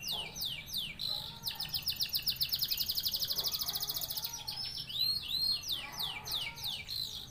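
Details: Canary in Indonesia singing falling whistled sweeps that merge into a fast, sustained high trill, then rising upslurred notes and a renewed string of descending whistles over constant background noise.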